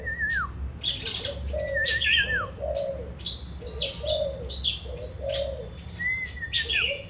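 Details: Oriental magpie-robin song mixing clear, level whistles that drop sharply at the end with dense bursts of high chattering notes. A dove-like bird coos softly and rhythmically in the background.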